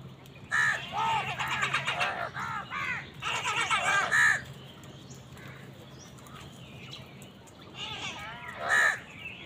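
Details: Crows fighting wild birds for food: two bursts of harsh, rasping caws, several overlapping, at the start and middle, then quieter background chatter and a final loud caw near the end.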